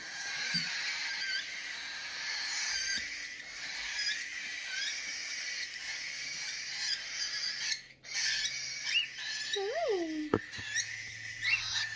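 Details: A hand-fed cockatiel chick about seven weeks old, fed from a rubber nipple, gives a continuous raspy, wheezing begging call while a woman speaks softly nearby.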